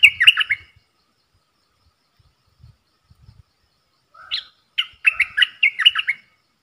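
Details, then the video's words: On 3 October 2021, a caged bulbul duels with wild birds. One brisk, liquid whistled phrase sounds, then a near-silent pause, a brief level tone, and a longer run of bubbly, rising and falling notes. "เสียงนกกรงดอกแตงEp.82 ดวลเพลงกับนกป่า!!Birds sounds"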